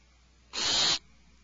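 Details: An alarmed owlet in its nest cavity, after peacefully picking at a rabbit portion, gives one harsh, hissing screech lasting about half a second, rough and airy with no clear pitch, against a faint steady background hum.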